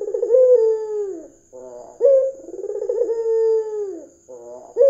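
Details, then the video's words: Lure recording of a vocal red-eyed white dove meant to draw other doves into calling: deep, repeated coos with rough, throaty onsets and long downslurred notes, a faint steady high whine running throughout. "PANCINGAN PUTER PUTIH MATA MERAH GACOR"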